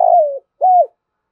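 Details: Fragment of a spotted dove's thúc gù cooing: the tail of a long descending quavering coo, then one arched coo note, followed by silence.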